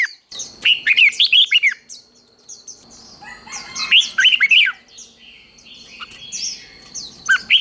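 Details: Red-whiskered bulbul contest song used in singing-competition training: three fast warbled phrases of arching notes separated by quieter gaps filled with faint high twittering.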